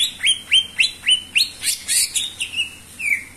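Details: Cucak ijo, the greater green leafbird, singing energetically as lure material: a fast run of loud, rising whistled notes about four per second, breaking into buzzy, harsher phrases and ending with a falling drawn-out whistle.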